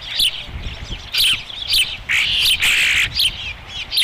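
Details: Osprey calling at a nest at Dunrovin Ranch during a feeding, 30 May 2016: repeated high, squealing whistles and drawn-out piercing cries in short bursts, over a low rumbling background.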